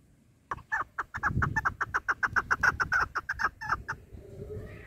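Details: Female chukar partridge for hunting, uttering a hurried string of about fifteen clucks, slightly accelerating, over low rumbling background noise.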